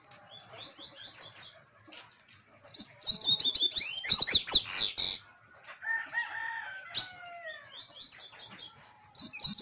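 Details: Double-collared seedeater song heard in bursts: scattered high chirps, then a dense fast twittering phrase, followed by a few lower drawn-out whistles and more short high notes near the end.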